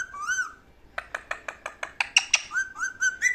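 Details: Parrot vocalizing: a short double-humped whistle, then a fast series of sharp clicks, then rising and falling whistled notes. The whistles climb to a loud tone near the end.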